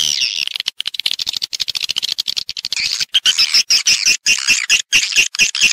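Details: Swiftlet calling and roosting sounds: rapid bursts of high, dry chirps in an unbroken stream, later with brief clear squeaky notes repeated about twice a second over the chatter.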